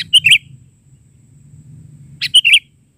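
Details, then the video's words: Sooty-headed bulbul in lively 'isian' filler song, 'bahari' version. Two brief bright phrases, each a chip followed by a twisting whistled note, separated by a pause with low background rumble. "Suara isian...burung kutilang gacor versi bahari"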